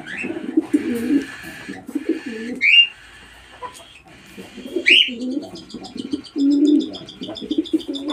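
A young cockatiel gives rough, raspy bursts in quick runs, with occasional sharp upslurred squeaks and a thin, chattering twitter toward the end.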